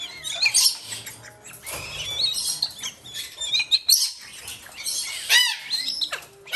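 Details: Young lesser sulphur-crested cockatoos, captive sibling chicks roughly four months old from a Japanese breeder, screech noisily during hand-feeding: raspy, buzzy squawks repeated in uneven bursts, with soft background music.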